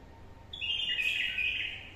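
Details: Caged bulbul, freshly caught from the wild and being trained, gives a short bright warble of about one second, a cluster of quick sliding notes, with light background hiss.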